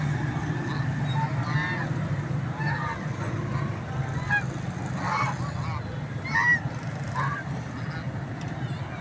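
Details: Geese honking while feeding outdoors in nature; a series of short nasal honks spread through the clip, one louder burst later, with constant low-pitched background rumble.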